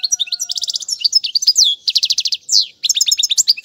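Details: Brisk goldfinch song meant for training young birds: liquid chirps alternating with rolling buzzy trills in quick succession.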